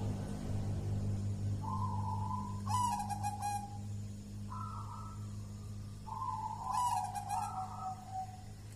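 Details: Hand-raised champion contest zebra dove of local Mojopahit stock in Java sings soft stepped cooing notes with brief rolling bursts, two phrases over several seconds, against a steady low hum.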